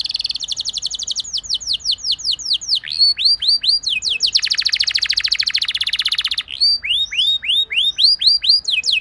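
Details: Canary song meant to get other canaries singing: rapid repeated downward-swept whistles alternating with dense buzzy rolling trills, varied phrases running continuously at high pitch.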